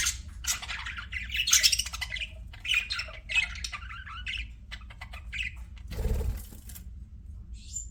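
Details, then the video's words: Pet budgies chatter in bursts of high, raspy twittering broken by short pauses, with a soft fluttering thump about two-thirds through and a thin whistle at the close. "BUDGIES CHIRPING SOUND"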